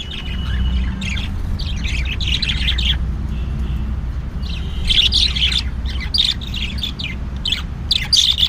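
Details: Budgerigars chatter during mating, in bursts of scratchy, warbling chirps and squawks over a low background hum.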